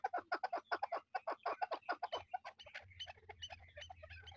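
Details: A pair of chukar partridges kept for hunting, calling in a lively mood: a fast run of harsh, clucking chuck notes, about seven per second, then a looser chattering tail over a low hum.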